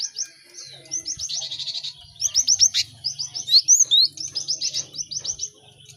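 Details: Cinereous tits chattering together to teach caged birds quickly: fast regular chirps about four per second, a buzzy trill early, loud whistled notes midway, and continuous low humming in the background.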